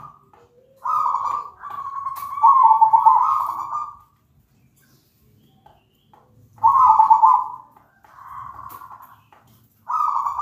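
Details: Zebra dove, locally perkutut, song used to prompt other zebra doves to sing with a big, clear voice. Three separated bouts of rapid, rolling trilled coos on a steady pitch, each about one to three seconds, divided by quiet pauses.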